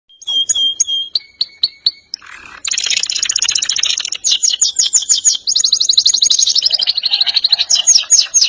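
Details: Singing canary, described as a strongly singing, rolling and bursting song: opens with clear whistled repeated notes, then a loud, sustained rapid trill and rolling runs of buzzy pulses, changing pitch in sections.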